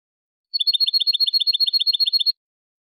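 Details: Clean competition-style song of a European goldfinch (jilguero) for teaching birds: a brief burst of about fifteen evenly spaced, bright twittering double notes, set in silence.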